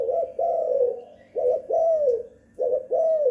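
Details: Derkuku, the spotted dove, at home in the two-kuk hanging guk lure style; three phrases, each a quick short coo followed by a drawn-out downslurred hoarse note.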